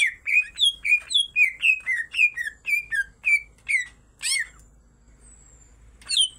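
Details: Greater green leafbird song from a singing female and male: a brisk run of loud downslurred whistles, about two per second, then a harsh burst, near silence, and one final whistle.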